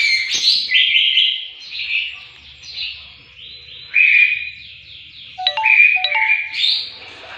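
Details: Greater green leafbird song used for training songbirds: continuous rich warbling with slurred and buzzy phrases, rapid note changes, and a few sharp clipped notes near the end.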